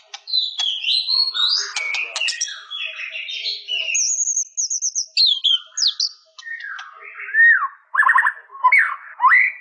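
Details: White-rumped shama pouring out a varied, melodious song of slurred whistles, very high thin notes and quick descending phrases, richly mixed and nearly continuous.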